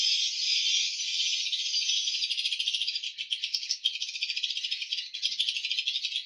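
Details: Many swiftlets calling in the hatching room of a swiftlet house. A continuous, dense high-pitched buzzing chatter breaks into fast rattling pulses in the second half, with echoes from the enclosed space.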